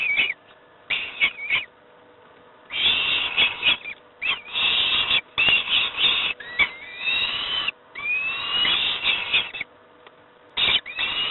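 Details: Rasping, insistent begging screams from young peregrine falcons being fed breakfast at Moszna, Pruszków, Poland, come in irregular bursts of one to two seconds separated by quieter pauses.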